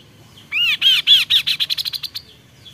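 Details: Kaso-kaso bird song: several loud arched whistled notes, then quickening into a fast rattling series of short high notes that stops suddenly, all within about a second and a half.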